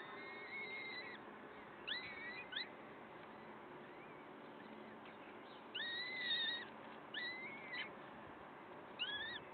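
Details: Peregrine falcon recorded at its Wakefield nest, 5 May 2021, 06:55: drawn-out, arching whined calls in short groups, fairly faint over a dense hiss of background noise.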